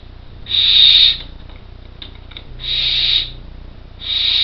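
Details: In an artificial nest box in Co. Kerry, four Barn Owl chicks nearly ready to leave the nest rasp out steady hissing snores, three breathy bursts about two seconds apart, with soft rustling in the pauses.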